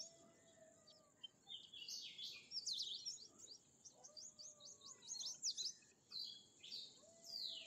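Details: Bimaculated lark giving a fast run of sharp, high, slurred notes that repeat in quick succession. Softer low whistles sound in the background.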